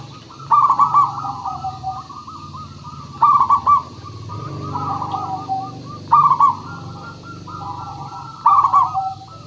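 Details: Local zebra dove song used as a lure to make other birds sing: loud bubbling coo bursts recur roughly every two to three seconds against steady, softer cooing from other doves and a low rumble.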